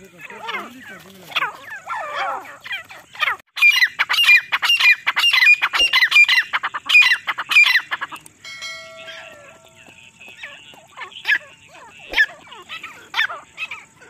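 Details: A female grey francolin calling non-stop, used as a hunting call, gives loud, harsh, high calls in a fast run of about two per second, with other chattering calls and a brief electronic tone.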